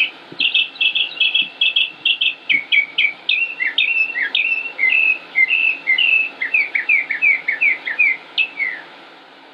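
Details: In Concord, North Carolina, on 25 May 2016, a singing male northern mockingbird repeats a clear whistled note rapidly about seven times, then moves through a stream of varied slurred and chirped phrases without pause.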